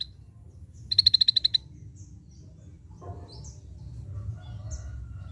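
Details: Scaly-breasted bulbul delivering a quick burst of nine clipped, high notes in an even rhythm, over in well under a second. Soft distant chirps and a steady low rumble fill the rest.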